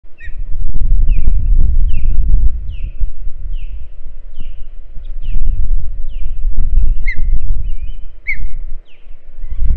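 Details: Osprey at the nest, recorded by a live nest camera: a series of short, high, sharply falling whistled chirps repeated about every half second, over heavy low rumbling and thumping from wind or nest movement.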